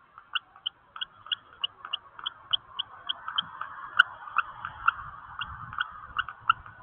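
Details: Male and female common kestrel searching for a nesting place: rapid, evenly repeated sharp piping notes, several per second, with a faint background hum and a single click.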